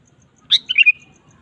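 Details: Sooty-headed bulbul, a lively singing bird used to provoke a kept bulbul into singing; one short bright phrase of four quick liquid chirping notes, the last drawn out slightly, over a quiet background.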